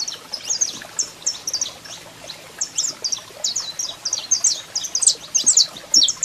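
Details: Saffron finch male in song alongside a calling female, producing lively high chirps and slurred notes that start spaced out and become a busier, louder twitter toward the end.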